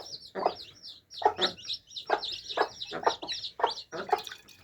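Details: Chicks drinking, a flock peeping in high chirps while rhythmic beak taps on the drinker sound about every half second.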